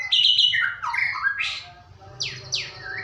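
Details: Lure song of a white-rumped shama meant to prompt singing: quick varied whistles and chattering notes, then two sharp downward-sweeping high notes and a short rising whistle at the end.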